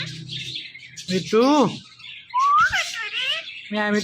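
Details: Indian ringneck parakeet talking: short voice-like phrases with strong stacked harmonics, one arching, another sliding upward, between soft chirps and faint background music.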